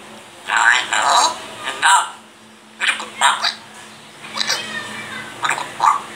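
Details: Grey parrot talking, its repertoire including Allahu Akbar, La ilaha illallah, Allah hoo, mian mithoo, mitthu kuta and coughing; several short, clear speech-like phrases in bursts, with brief pauses between them.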